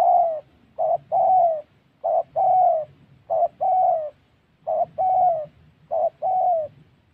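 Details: During dove trapping in the wild forests of Gia Lai, Vietnam, a spotted dove coos steadily. Five or six short-long pairs of soft, low, slightly falling notes repeat at a fairly even pace, with a faint background rumble.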